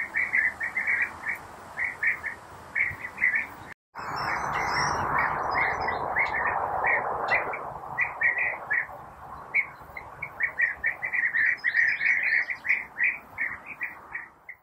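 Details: European bee-eaters while feeding young in nest burrows and preparing insects for them: short rolling chirps repeated in quick bursts, several birds overlapping, with a brief dropout near four seconds and a steady low murmur of background sound.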